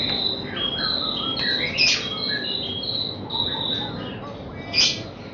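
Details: White-rumped shama song for building young birds' nerve before a contest: fast sequence of short high whistles and slurred notes, with two sharp loud bursts near the middle and end.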